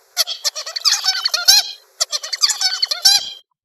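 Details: A young zebra finch at about 56 days post-hatch, learning toward its tutor's song, practises a rapid string of buzzy, nasal notes and short stacked syllables; Zebra finch.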